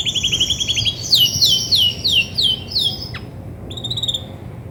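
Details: Female Belgian canary, grey and white, singing as she does when ready to brood: a quick trill of high notes, then a run of steeply falling whistled slurs roughly four per second, ending with short chirps.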